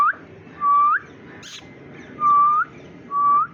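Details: Green Indian ringneck parakeet, a pet bird said to chirp like a human: three clear, smooth whistled notes, each sliding upward at the end, spaced about a second apart over a faint background hum.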